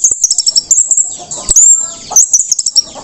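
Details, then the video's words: Orange-headed thrush after moulting, singing in the teler style, offered as a model for spotted young birds to learn quickly: rapid high thin chirps and short whistles in quick bursts, with a long sliding whistle near the middle. "anis merah teler usai mabung bagus untuk anis merah trotol agar cepat teler"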